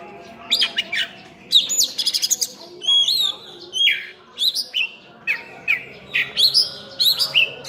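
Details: Oriental magpie-robin (kacer) singing actively, a full 'isian' song, known locally in one village as cincim pala: rich run of bright whistled and chattering phrases, many rising or falling slurs, varied notes in quick succession with short pauses, background fairly quiet.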